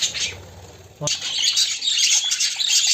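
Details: White male budgerigar kept as a pet, searching for a mate; dense, rapid chirping and scratchy warbling chatter runs almost continuously, broken by a sharp click about one second in.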